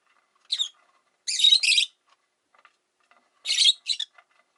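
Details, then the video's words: Five rosy-faced lovebirds kept in a cage by a window produce a short chirp, a long double rasping squawk, and later a harsh pair of chirps. "Lovebird Chirping Sounds"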